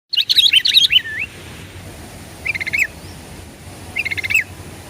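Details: Sooty-headed bulbul song used as a lure to make other birds answer: a bright bubbling phrase of warbled notes, then two short repeated chirpy phrases about two seconds apart over a steady low rumble.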